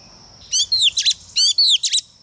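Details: Lure female Oriental magpie-robin singing to provoke males: two quick phrases of downward-sliding whistles and sharp chirps, each about half a second long, over a thin, steady high hum.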